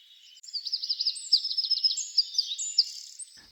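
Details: Male Eurasian wren on a chimney in France, absorbed in courtship song to call another female while his females raise chicks. A clear, very high, rapid run of trills and sharp twittering notes lasting about three seconds, in quiet surroundings.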